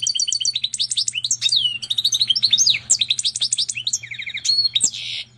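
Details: Hybrid of a canary and a Portuguese goldfinch singing continuously: rapid tinkling notes, buzzy trills and down-slurred whistles run together in a dense, lively stream over a faint background hum.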